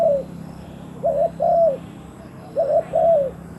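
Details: Decoy spotted dove calling wild doves in with two clear double-coo phrases, a short opening note then a longer coo that dips at the end, over a faint low hum.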